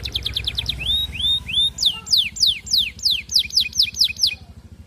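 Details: Singing canary wooing a female, offered as a lure for all kinds of canaries to roll along: rapid trill, a few rising whistled slurs, then a long run of crisp downslurred whistles about three per second, fading at the end.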